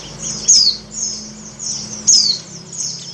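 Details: Oriental white-eye female in breeding condition calling a male. Two sharp, high, downward-sliding chirps about a second and a half apart, each followed by softer high twittering, over a low steady hum.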